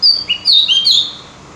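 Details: Short phrase from a Javan grey-throated white-eye, used as a lure to make birds sing: three or four high, sweet slurred whistles in quick succession, fading out after about a second.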